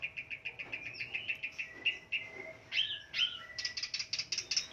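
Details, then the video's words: Long-tailed shrike, a fighter bird in full song, played as a lure to spur silent shrikes to sing. It gives rapid repeated chips, drawn whistles and sharp upslurred notes, ending in dense quick chattering, over a faint steady hum. "Burung pendet figther gacor dor full isian ediaaaaan...!!! Pancingan cendet stres macet bunyi"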